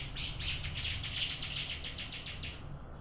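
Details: Bar-winged prinia in a singing contest: a fast run of sharp, high chipping notes, about six or seven a second, steady and unbroken for the whole stretch over a low background hum.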